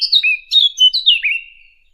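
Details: Fig bird recording meant as a hunting lure, giving a short phrase of clear, sliding whistles: several falling and rising notes in quick succession, then a drawn-out descending whistle that fades away.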